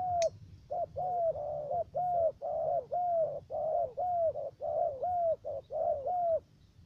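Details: Spotted dove kept as a trapping decoy in U Minh, Cà Mau province, Vietnam, giving its three-note call. A brief sharp click opens, then soft low coos run in a steady series of short and drawn-out falling notes, roughly one each second.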